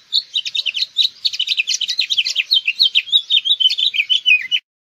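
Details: House finch song: a rapid, jumbled warble of high, slurred chirping notes, running continuously for about four and a half seconds and ending in a few downslurred notes.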